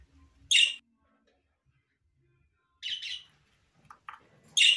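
A budgerigar gives harsh, scratchy screeches in short bursts, with a few softer chirps between them.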